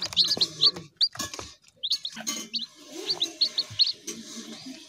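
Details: Chicken chicks uttering clear, high, upward-curling peeps in small clusters separated by short pauses, mixed with soft low rustling and clicks.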